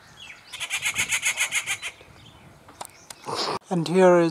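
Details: A rufous treepie breeding locally, with a chick at its nest, gives a fast series of about ten harsh, rasping notes over a second and a half. A man's voice follows.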